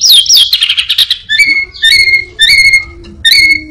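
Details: Orange-headed thrush copying other songbirds: a jumbled rapid twitter at first, then three or four separate clear whistled notes with bright overtones, each spaced about a second apart.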